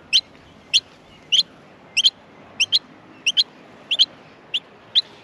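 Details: Baby Australian miners begging in their nest at feeding time, giving bright high-pitched chirps, often in quick doubles, roughly one or two per half second.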